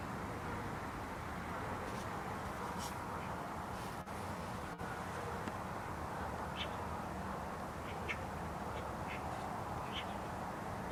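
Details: A flock of Eurasian magpies (Pica pica) at an industrial estate in Zamudio, Bizkaia, on 5 January 2019 gives scattered harsh, rattling calls, partly buried under a steady roar of wind and distant traffic.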